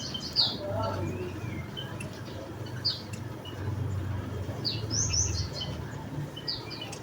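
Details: Javan munia, emprit bondol jawa, sounding sparse high chips, with a small cluster of overlapping notes near the end, over a low rumbling background.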